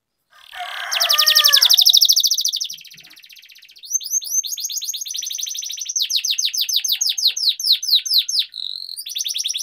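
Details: Canary training song in the rolling ngerol style, meant to spur lazy birds into singing: a dense buzzy trill opens, then a quieter pause, then repeated steep downslurred notes and fast rattling runs.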